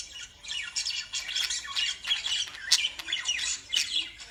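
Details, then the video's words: Shrill lovebird chattering: overlapping high squawks and quick chirps come in dense bursts, with a few sharp, piercing notes standing out near the middle. "Love birds sound"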